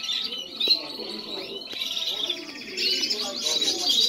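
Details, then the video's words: Spanish Timbrado canaries in song, several birds overlapping with rolling trills, sharp chips and whistled slides, the singing swelling louder toward the end. "Canarios cantando"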